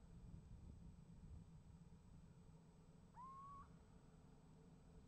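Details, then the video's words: Little owl calling from a nest box on a live camera, 28 January 2015, and getting an answer from another owl: a single drawn-out whistled note that quickly sweeps upward and then holds level for about half a second, over a steady low rumble. "Steenuil roept en krijgt antwoord"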